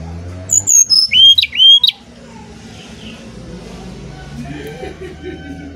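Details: Brown-chested jungle flycatcher from Bali, singing as a lure: a short phrase of descending whistles and two rising swoops, followed by steady low background noise and faint voices.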